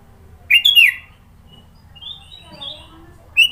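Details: Sooty-headed bulbul from Sidoarjo, East Java, singing a varied song with many fill notes: a bright whistled phrase, a pause, then thinner rising whistles and a final sharp note, over faint low background hum.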